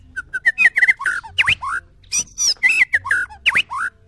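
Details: Loud, close White-rumped shama song from a contest pitting a short-tailed Medan bird against a balak 6 bird: bursts of rich whistles, rapid trills and harsh rasping notes in quick phrases, with brief pauses between them.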